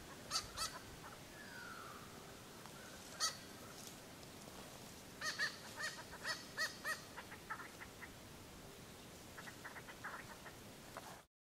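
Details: Papuan frogmouth giving harsh, nasal, crow-like notes, first singly, then in quick runs of five or six, about three per second, over a steady background hiss.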